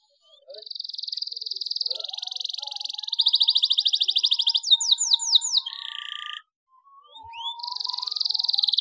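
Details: Belgian canary song used as a lure to stimulate silent or stressed canaries: high buzzy trills, rapid repeated notes and sweeping whistles, broken by a brief pause before the trilling resumes.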